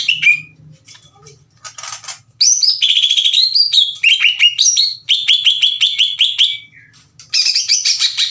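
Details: Greater green leafbird, a singing bird, loud and aggressive as if challenging another leafbird to fight: rapid chattering phrases of bright whistled and harsh notes, mostly high, in dense bursts with short pauses, imitative-sounding varied elements.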